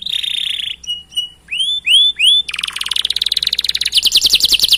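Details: Canary singing a long, rolling 'gacor' song used as a master recording to prompt other canaries: a buzzy note, then short whistles and rising-falling sweeps, ending in a fast, dense rattling trill.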